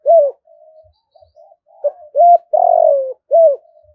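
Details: Calling spotted dove in the 'thúc' style, used as a lure so wild doves answer and fight. Low hollow coos and faint hums build to paired firm hoots, a drawn-out grating descending coo, and a closing short hoot.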